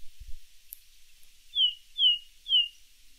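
Ring Ouzel singing three clear, fluty, descending whistles spaced about half a second apart, with a brief low thump just before.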